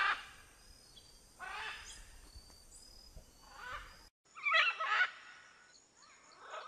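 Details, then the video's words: Macaw in nature producing several rough, grating squawks at irregular intervals, softer at first and then a louder, harsher burst after a brief cut in sound. "Macaw sound, Video macaw singing in nature"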